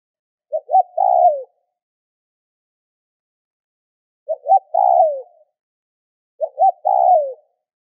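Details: Spotted dove calling to stimulate other doves to call: three cooing phrases a few seconds apart, each opening with short clipped notes and ending in a longer, falling, mellow coo. No other sounds.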